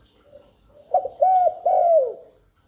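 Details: Cooing spotted dove, calling to attract wild doves and stimulate newly caught ones: a soft low hum, then a short coo, a steady ringing coo and a long drawn note that falls away at the end.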